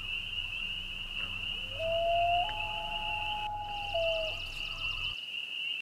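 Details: Common Loon in spring at Rangeley, Maine: a long, mournful wail that slides up in steps, holds a steady pure tone, then drops away, over a constant high trilling chorus of spring peepers and a low hum.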